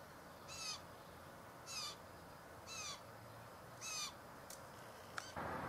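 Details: A blue jay crying softly gives four harsh, nasal, slightly falling calls about a second apart over steady hiss, ending with a sharp click and a rush of noise, recorded 5/7/14.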